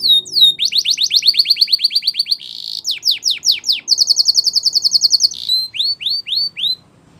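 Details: Spanish Timbrado canary song for training: rapid repeated falling notes, a buzzy steady trill, more fast slurs and a clear series of rising whistles, then silence.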